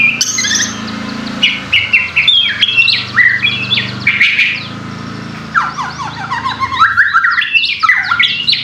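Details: White-rumped shama song used as a provocation track for energetic singing: fast jumbled chirps and short whistles in two bursts, with noticeable low background noise throughout.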